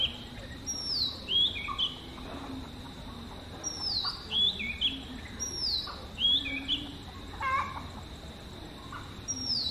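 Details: Singing Oriental magpie-robin, one of seven natural sweet melodies: a high downslurred whistle ending in a short flourish, repeated about every second and a half, with faint low notes and background hum.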